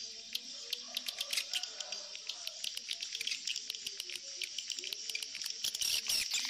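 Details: Mixed colony and mating calls of edible-nest swiftlets: a busy, continuous wash of high chirps and sharp ticking clicks, crowded and irregular, growing louder toward the end.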